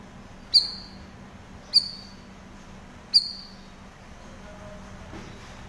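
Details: Cucak rawis in cerewet style for training cage birds: three sharp, high, clipped chirps, each trailing into a short falling note, spaced more than a second apart over faint hum.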